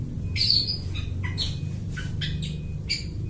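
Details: Long-tailed shrike copying other birds' calls, a lure for bird trapping; brief varied chirps and a sharp squawk, spaced irregularly, against a low humming background.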